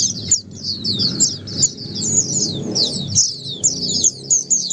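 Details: Oriental white-eye (pleci) singing ombyokan style, meant to encourage a silent bird to respond; fast, high, thin chirps and twitters run in bursts separated by short gaps, over faint low rumbling.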